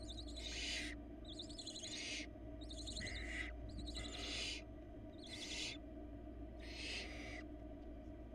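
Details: Four hungry barn owl nestlings on a Florida nest cam as their mother brings a rabbit, 2022: harsh broadband hissing screeches roughly every second, mixed with quick wavering twittering trills, over a steady low electrical hum.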